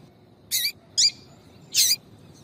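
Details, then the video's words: Yellow-bellied seedeater female in a tui-tui call to draw males: three short high raspy chirps, the first two close together and the last after a short gap. "Piado de fêmea de papa capim para Foguear Papa capim tui tui Melhor Piado de fêmea de papa capim"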